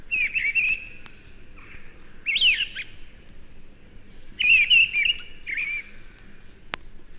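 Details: A mistle thrush, the "stormcock", sings in a British broad-leaved woodland in January amid winter gales. It gives four short, loud fluting phrases, each under a second long, separated by one-to-two-second pauses, over a faint low rumble.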